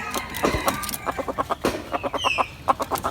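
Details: Calling hen giving rapid rhythmic clucks, about five per second, against a noisy background with a brief higher bird note.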